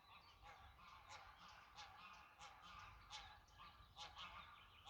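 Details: Greylag geese honking in a steady stream of nasal, overlapping calls, several birds calling at once with sharp honks roughly every half second, heard at a moderate distance.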